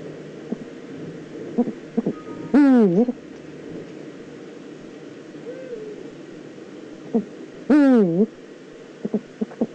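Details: Two harsh, strongly harmonic screeching calls, each dipping then rising, come about five seconds apart from a Eurasian eagle-owl in the Eifel, 9 September 2014, amid soft clicks and a brief low tone.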